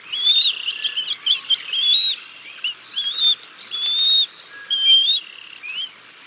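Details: Bald eagle parents feeding their chicks a fish at the nest, 6 May 2022: rapid high whistled chitters and squeals, loud and closely spaced, fading toward the end.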